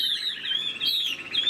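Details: Caged Chinese hwamei, a moulting bird said to be around 25 cages old, singing loud continuous high whistled phrases with slurred notes, short and fluent without pause.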